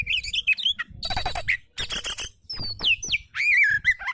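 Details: Oriental magpie-robin song for training lazy caged birds to sing: varied whistled phrases, some sliding down, mixed with harsh buzzy bursts and rasping notes, with short gaps between them.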